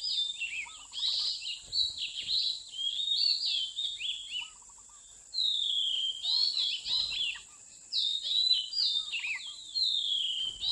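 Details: Wild Oriental magpie-robin caught by mountain trappers, 8/15/16, giving varied clear whistled phrases, rising and falling, in bouts with short gaps, over a steady high insect-like hum.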